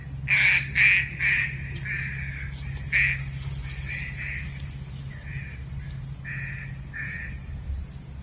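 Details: Trapping lure call of a green pigeon, a quick loud series of nasal notes that fades into softer, spaced, repeated notes over eight seconds, with a steady high whine and low hum throughout.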